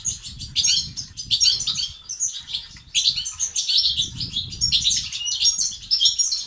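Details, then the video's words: Goldfinch song of the batbata and sastasat types, aimed at treating silence in males: clear high twitters and quick trills, roughly eighty notes a minute, with a soft low rumble in places. "بتبتة وستستات للتحفيز الدكور الحسون وتساعده في زيادة النشاط وتحفيزهم على تغريد وعلاج صمت حسون"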